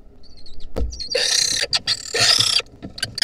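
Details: Wild lesser kestrel chicks, 2023, begging while being fed a centipede: loud harsh rasping screeches in two long bursts after a short thin whistle, over a low steady hum.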